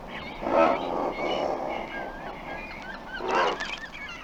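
Double-crested Cormorant giving three hoarse, honking croaks in about four seconds, with faint higher bird calls behind.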